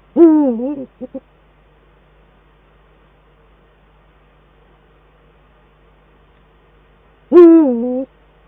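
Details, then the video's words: Male and female Eurasian eagle-owl dueting at their Eifel nest on 22 December 2012: a loud, harsh, wavering call ending in two clipped notes, silence, then another loud rasping call. Quiet background. "Uhu Eifel 2012-12-22 Man op nest en bij tak "downstairs" - duetten Man en Vrouw"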